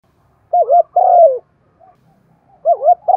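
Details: Spotted dove of the Thổ calling style used as a lure: one full phrase of a wavering double coo and a long, gently falling coo, a quiet pause, then the next double coo beginning.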